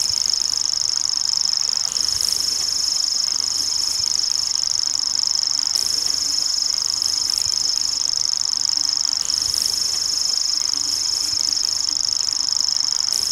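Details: In the wild, a common grasshopper warbler delivers a long continuous reel, a shrill fast-ticking trill that stays level and unbroken throughout, with faint low rumble behind.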